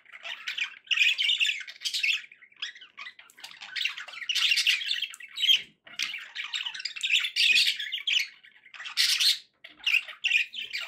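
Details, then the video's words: Happy pet budgies chattering indoors, a continuous run of harsh, buzzy warbles and squawky notes in bursts of one to two seconds with brief gaps. "happy budgie sounds"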